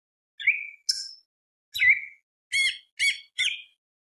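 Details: Greater green leafbird singing in short separate phrases, each a slurred whistle or a harsh rasping burst, about six phrases in four seconds, used as a lure to provoke other birds.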